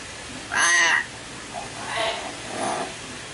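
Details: Young common hill myna learning to talk gives one loud, harsh, nasal squawk about half a second long with rich stacked overtones, then two fainter, softer, muffled notes follow at roughly half-second gaps.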